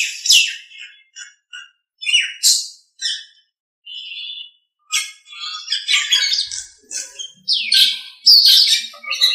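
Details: Master recording of a Nias hill myna for tutoring other songbirds: sharp squawks, clear whistled notes and scratchy chatter in irregular bursts, growing denser and louder toward the end.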